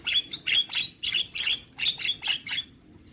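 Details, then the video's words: Javan myna delivering a fast series of harsh, chirpy notes, each ending in a ringing tone, about eight in quick succession with brief pauses between. "Dengar Kicauan Jalak Kebo Maput Full Isian"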